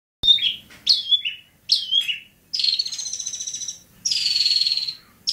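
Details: Long-tailed shrike singing at Bobotsari: three sharp downslurred whistled notes, each falling off into a short trill, then two long, harsh buzzy rattles about a second and a half each, ending on another sharp note.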